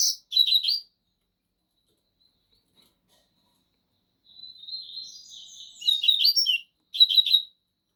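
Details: Two caged Double-collared Seedeaters, 'bico de aço' against 'trem bala', sing an identical song: clipped high chirp bursts, a pause, a soft drawn whistle, then rapid twittering notes and a final short burst.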